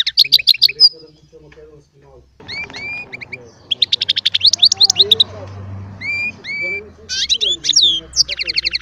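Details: Small hybrid finch with goldfinch song: clipped trilled phrases and upward-slurred whistles separated by gaps, over a steady low background hum and faint voices.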